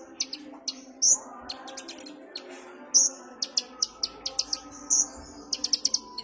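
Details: Relaxed lure recording of the kolibri ninja sunbird: sharp, high single chirps and short buzzy slurred notes, ending in a quick run of chirps, over a soft steady low hum.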